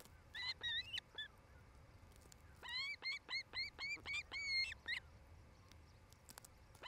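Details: Osprey at its Montana nest near Charlo, July 2018, on camera: a few scattered whistled chirps, then a tight rhythmic run of about a dozen ringing, slightly rising notes before quiet returns.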